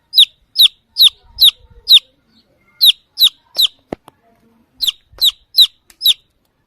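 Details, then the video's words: A baby chicken searching for the mother hen calls in bursts of shrill, falling peeps, four quick notes, a pause, three more, then a final run of four, with a faint click between. "baby chick sound | chirping | looking for mother hen"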